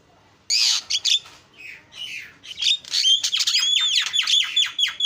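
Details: Javan myna singing at full volume to spur other mynas into song: a loud harsh screech opens, then a dense, scratchy jumble of squawks and sharp downslurred notes running almost without break.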